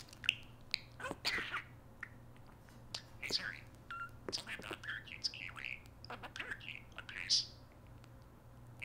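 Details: Prolific talking parakeet kept as a pet, activating Siri on an iPhone indoors: soft, whispery speech-like chatter of quick high syllables and clicks, with a few brighter squeaks, above a low background hum.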